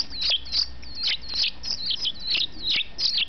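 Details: A captive-bred baby European goldfinch, born 27 May 2008, begs during hand-feeding with thin, high, wheezy chirps, repeated rapidly several times a second over a faint low rumble.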